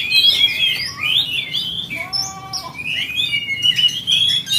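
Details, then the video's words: Provoking song of an Oriental magpie-robin for riling up other magpie-robins: sweeping whistled slurs, then a short passage of steady, layered tones, then more rapid whistling. "KACER PANCINGAN EMOSI BURUNG KACER MANAPUN DAN JENIS APAPUN"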